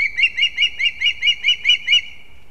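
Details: Osprey chicks competing at a nest in a leaning old pine in Kurzeme, Latvia, 11 September 2024: a clear series of eight piping, slightly buzzy whistled chirps, about four per second, on a quiet background.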